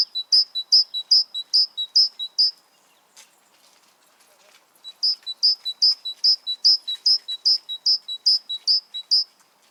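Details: Song of a great tit: crisp high two-note motifs repeated evenly, a short break of faint background sound, then a longer unbroken run of the same ringing phrase lasting about five seconds.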